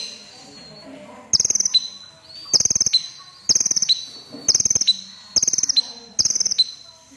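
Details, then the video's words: Crimson sunbird with a red breast, in steady song. Six short bursts of rapid, shrill ticking notes each drop into a thin whistle. They repeat about every 0.8 seconds against a quiet background. "Burung KONIN Kolibri Ninja DAMER Dada Merah Gacor || CHIRPING SOUND ||"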